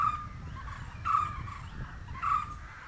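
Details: Green barbet from India giving loud, hollow repeated notes, three spaced roughly a second apart, over low rumbling background noise.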